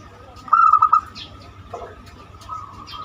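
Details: Zebra dove (perkutut) singing the banyumili style, used as a lure to prompt other birds to sing: a single loud burst of four quick pulsed coo notes. A faint murmur and background hum follow.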